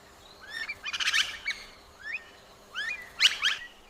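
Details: Superb Lyrebird, a mimic that can copy several species in one performance, giving upward-slurred whistles alternating with rapid, chattering bursts of high notes, repeated twice within four seconds, over a faint low hum.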